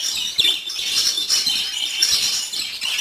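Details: Budgerigars chirping together in a dense, continuous chatter of high twittering and warbling notes, with no clear pauses and a few louder sharp chirps.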